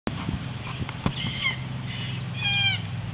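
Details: Wild, shy red-tailed black cockatoos in the Whitsundays give short, harsh, grating calls with stacked overtones near 1.3, 2 and 2.5 seconds, over a steady low rumble.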